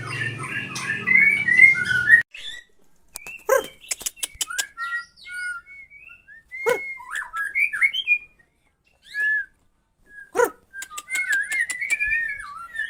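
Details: White-rumped shama with a 20 cm tail: after a short busy start, scattered clear whistled notes and wavering phrases separated by sharp clicks and silent pauses.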